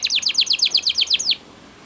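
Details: Short canary phrase for training: about ten rapid, evenly spaced falling chirps, then silence.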